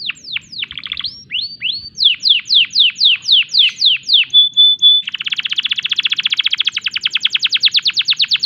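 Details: Canary in breeding condition singing: series of loud descending whistled sweeps, a brief pure steady whistle, then a long fast buzzy trill of rapidly repeated notes.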